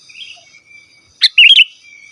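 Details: Sooty-headed bulbul, a wild-type call used to lure wild birds and tutor captive ones: one short bubbly phrase of sharp upward note then quick warbling notes, over faint high background hiss and trilling insects.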